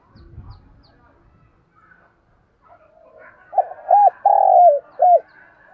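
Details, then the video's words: Faint speech and quiet background come first. Then a decoy spotted dove, calling to draw in wild doves, delivers a hollow four-part coo: short, rounded, long and falling, then short. "tiếng chim cu gáy mồi chuẩn cực hay gáy gọi bổi nghe về cội liền"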